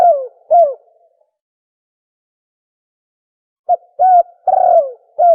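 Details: Hollow falling coos of a spotted dove in fast 'thổ còi' style. Two coos open, a long gap follows, then a burst of short notes and a drawn-out descending coo.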